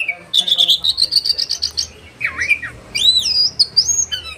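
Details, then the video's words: A caged oriental magpie-robin sings its sharp 'roll' and 'tembakan' material, aimed at getting other magpie-robins to sing: a fast rolling trill rising slightly in pitch, a dipping whistled phrase, then arched swooping whistles. "kacer roll tembakan suara tajam anti stresss bikin kacer lain jadi konslet bongkar materi"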